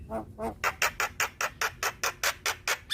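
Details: Black-winged myna, recorded for training cage birds, gives two low, grating notes, then a quick, regular string of about ten harsh, raspy chack-like calls, roughly five per second.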